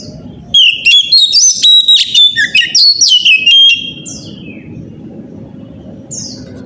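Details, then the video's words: Oriental magpie-robin singing in the morning as a lure to stir other magpie-robins. About three seconds of fast, loud, varied whistles, trills and harsh chips, then fading to a steady low hum. "pancingan suara kacer pagi hari"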